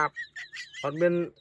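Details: Domestic duck sold to its owner as a Khaki Campbell, crying 'kap kap' instead of the expected call. A short nasal honk is followed by faint chatter, then a longer, harsh, buzzy nasal call lasting about half a second.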